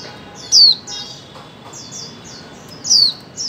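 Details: Female white-eye, calling to prompt mute birds to sing. Two loud, thin descending notes stand out among a series of softer high down-slurred chirps.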